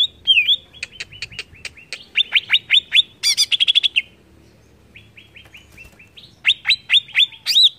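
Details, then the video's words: Greater green leafbird song played to provoke other leafbirds: a fast run of sharp downward-sweeping chirps, a rising-falling whistled note, then bright trills and more quick chirps after a short pause. "BIKIN CUCAK IJO MANAPUN TERPANCING EMOSI"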